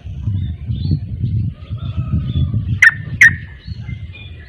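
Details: Sooty-headed bulbul (trucuk), known for 'ropel' singing that other bulbuls join: a pair of sharp, bright notes in quick succession over a steady low rumble and faint soft chirps.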